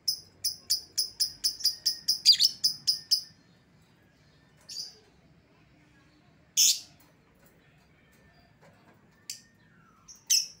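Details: Lure call for recalling a lovebird that has escaped: a rapid run of about a dozen shrill, evenly spaced chirps, followed by scattered single sharp notes with quiet gaps.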